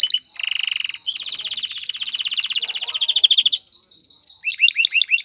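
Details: Male canary song aimed at readying a female for mating and nest building: rapid rattling trills at two pitches, a descending whistled run, then rising slurred notes.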